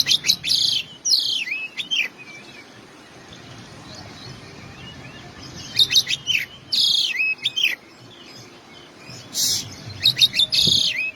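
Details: Kacer, the oriental magpie-robin, sings in bursts of its isian-style song: quick chirps and curving whistled slurs in three clusters separated by quiet gaps, with one brief harsh rasp near the end.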